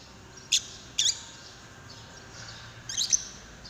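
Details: A lovebird calling to stir another lovebird to sing: two quick sharp squeaks near the start, a quiet pause, then a double burst of high chattering chirps.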